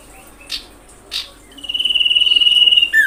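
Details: Common iora call played to provoke other ioras: two brief sharp chips, a pause, then a long steady pulsed trill of rapid whistled beats, cut off by the start of a falling slurred whistle.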